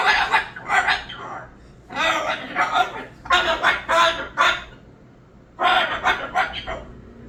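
A Moluccan cockatoo gives four bursts of harsh, nasal, speech-like chatter and squawks, each about a second long, separated by brief pauses.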